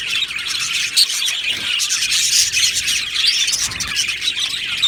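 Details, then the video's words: Happy budgerigars in an aviary colony, with dense high chirping and squeaky twitters overlapping throughout, a clear bright peep about a second in, and some faint lower rustling in the background. "Budgie Sounds for lonely Budgies | Happy Budgies Birds Sounds"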